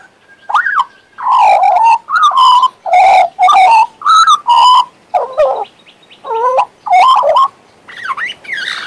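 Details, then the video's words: Pet male Western Australian magpie warbling and whistling: a run of about ten loud, rich, mellow notes, some flat and some swooping up or down, separated by brief pauses, ending with softer bent whistles. "My Western Australian Magpie Warbling, Whistling and Singing!"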